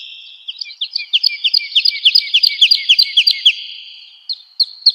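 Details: Woodlark in full song, recorded as training material for cage birds: a liquid run of slurred, high notes that swells in loudness and quickens to several per second, then fades away, followed by two short isolated notes.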